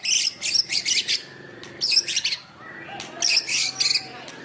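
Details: White-rumped shama singing in a style imitating fighting sparrows: three bursts of harsh, high chattering notes in quick clusters, separated by short quiet gaps, with faint background noise.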